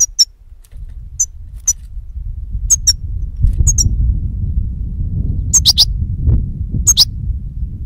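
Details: European goldfinch singing on a recording meant to lure birds for capture: brief, sharp, very high chirps scattered every second or so over a steady low rumble.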